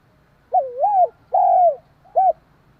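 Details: Cooing spotted dove calling to stimulate another dove: one hurried three-part phrase, a dipping double coo, a drawn-out falling coo and a brief final note, with soft low background rumble.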